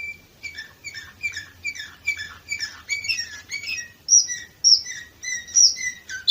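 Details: Canary song recorded in Varna, Bulgaria, during 2018: rhythmic series of chopped, downslurred whistles about three per second, changing midway to louder, higher piping notes.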